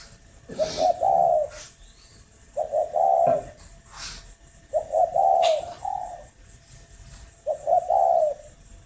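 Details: Farm-kept spotted dove near Ba Vì, Hanoi, cooing steadily in the morning; four low phrases of stuttered notes and a longer warm coo, with light knocks and rustles in the background.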